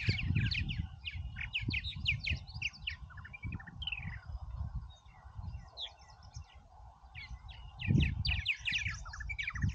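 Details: Busy purple martins at Oak Harbor, Ohio: dense overlapping chatter of gurgling, croaking chirps and short upward-sliding whistles from several birds throughout, with low wind-like rumble and thumps underneath.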